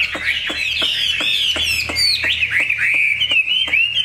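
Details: Caged Chinese hwamei from Vietnam giving a clear, sustained warbling song of sliding whistles that rise and fall, with occasional sharp clicks behind it.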